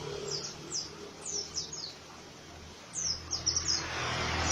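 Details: High, scratchy chirps from an Oriental white-eye in rough ngriwik style. Two quick clusters of falling notes are separated by a brief pause, with low hum underneath.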